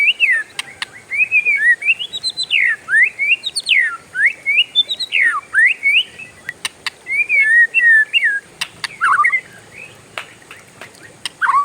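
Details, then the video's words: Oriental magpie-robin (kacer) rolling on in a long, varied whistled song: looping up-and-down slurs delivered in quick succession, with a few brief pauses and scattered sharp clicks. "SUARA KACER RIUH NGEROLL PANJANG, BURUNG LAIN LANGSUNG IKUTAN"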